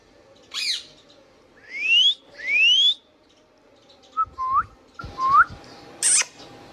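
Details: Pet Indian ringneck parakeet: a harsh squawk, two long rising whistles, a cluster of short lower upslurred notes with light knocking sounds, then a final piercing squawk.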